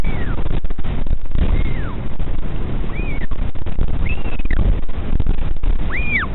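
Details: Northern royal albatross father returning to his chick at the colony at Pukekura/Taiaroa Head near Dunedin, New Zealand, communicating with it; thin arched whistled calls sweep down, repeated irregularly over strong wind rumble.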